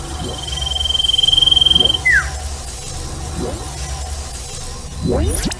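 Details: Common iora singing at night, a recording meant as therapy for caged ioras that have stopped singing: one rapidly pulsed, even trill lasting about two seconds, then a quick falling note, over steady low rumbling background noise.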